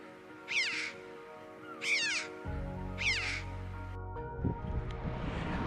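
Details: A red-billed chough in the UK gives three high, ringing, down-slurred 'chee-ow' calls, about one and a quarter seconds apart, over soft background music.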